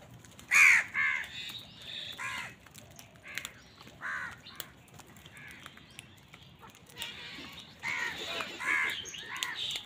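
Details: Crows squabbling with wild birds over food: harsh, harmonic caws come in short bursts, a loud one near the start and a cluster near the end, with thin chirps from other birds between them.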